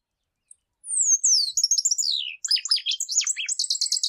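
Shiny cowbird song: a thin, high whistle sliding steeply downward, then a rapid jumble of liquid, bubbling notes and short squeaky trills.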